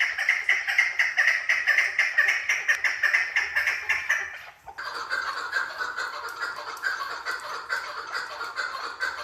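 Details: Female chukar partridge calling: loud, harsh, clucking notes repeated about twice a second in a steady rhythm, shifting to a lower, denser run of calls halfway through.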